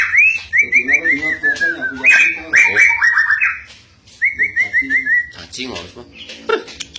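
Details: Caged white-rumped shama singing energetically, refusing to be outdone by its owner: loud whistled phrases of rapid repeated notes that slide downward, a pause, then another trilled run and scattered sharp chirps.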